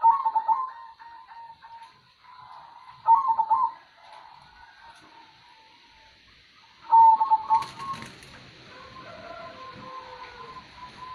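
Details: Local zebra dove of the kong singing type repeating its song: trilled, bubbling coo phrases ending in drawn-out level notes, three bursts spaced a few seconds apart, with softer coos from other doves in the background.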